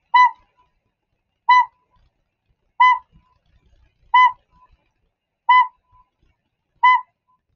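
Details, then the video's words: Northern pygmy owl giving its repeated note: a single hollow, whistled toot, repeated steadily about every 1.4 seconds. "Northern pygmy owls, they make a note that they repeat. It sounds like this."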